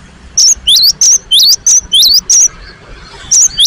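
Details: Gelatik batu singing hard: a rapid string of loud, clean whistles alternating a climbing slur and a higher flat note, about eight in a row, then a brief gap and two more.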